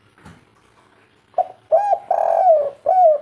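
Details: Local spotted dove in kuk 3 style: after faint background noise, a short note, a clipped coo, a long drawn hoot drooping at its end, and a final falling coo.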